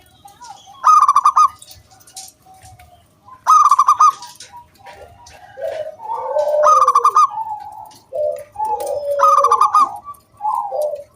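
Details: Energetic local zebra dove song meant to draw other doves into singing: four bright trilled phrases spaced roughly two and a half seconds apart, interleaved with rising and falling low coos that grow busier toward the end.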